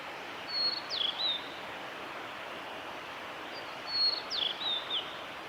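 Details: Blue-and-white flycatcher, a male singing in spring along a forest road at Lake Miyagase, Japan: two matching phrases three seconds apart, each a high sustained whistle, a sharp upward flick, then falling slurred notes.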